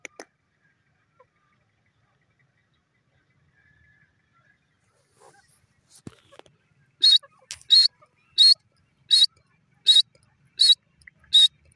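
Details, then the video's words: Female francolin (teetar) calling: near silence for about seven seconds, then seven loud, harsh, noisy calls in a steady series, each about 0.7 seconds apart. "female teetar beautiful awaaz"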